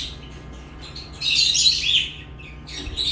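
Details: Chirping lovebirds: quiet start, then a loud burst of shrill, rasping chatter lasting under a second, followed by a brief high squeak near the end; low background hum.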